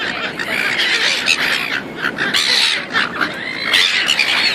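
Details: Dense chorus of gulls in Auckland, New Zealand, with continuous overlapping raucous squeals and harsh cries, some rising and falling, from many birds at once.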